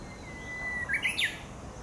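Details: Japanese bush warbler singing in a forest park in Yokohama, Japan, on a sunny break in the rainy season, mid-June 2016: a long steady whistle followed by a quick, loud descending flourish, over soft forest background.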